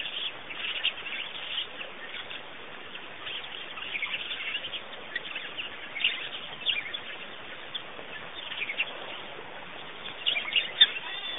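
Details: A busy chorus of several birds gives short, high chirps and twitters that overlap steadily throughout, with a faint hiss of outdoor background noise, at Pete's Pond, Botswana.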